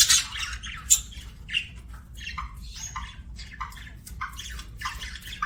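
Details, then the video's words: Budgerigar chattering in a quick run of short, scratchy chirps and squawky notes, each a fraction of a second long, a few louder bursts standing out over a soft low hum. "BUDGIE CHIRPING SOUNDS"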